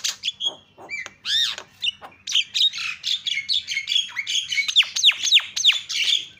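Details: A Javan myna calls to provoke other mynas into calling. Rough squawks at first give way to a fast string of loud, downward-slurred whistled notes and grating chatter.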